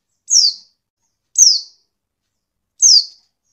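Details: Three sharp, high-pitched descending tsee notes from a female white-eye, spaced over a second apart, used to provoke quiet males into calling back; no other sounds.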